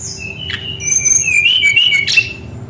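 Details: Brown-chested jungle flycatcher in full rolling song for training young birds: a long run of high wavering whistles sliding up and down, broken by a couple of short sharp notes, over a low hum.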